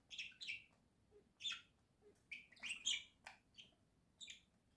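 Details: Pet budgerigars singing in a home flock, October 2024: a lively string of high, twittering chirps and scratchy warbled notes, roughly two or three per second, over a faint room hum.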